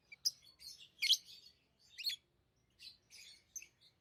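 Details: Chirping from tame lovebirds: scattered high squeaky notes and brief harsh buzzy chatter, one louder rasping burst near the start, calls spaced irregularly over a few seconds.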